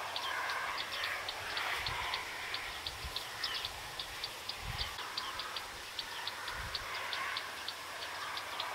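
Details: Bearded reedlings calling: a busy stream of brief, bright pinging notes, many per second from several birds, with softer chattering lower down, steady wind or reed rustle and occasional low thumps of wind.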